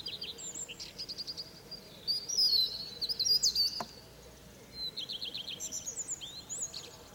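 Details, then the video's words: European robin singing its morning trills in a fir tree; high, thin tinkling phrases and quick trills between 4 and 8k alternate with short pauses, one brief click midway, over faint steady background hiss. "Niesamowity śpiew rudzika."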